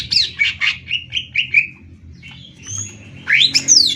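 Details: Greater green leafbird in a Banyuwangi versus Kalimantan singing contest: a string of short downslurred whistles, a quiet gap with a thin high tone, then loud rising squeaky notes.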